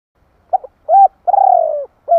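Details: Spotted dove calling to provoke rival doves: two quick coos, a swelling arched note, a long pulsing descending croo and the start of another coo, with a clean background.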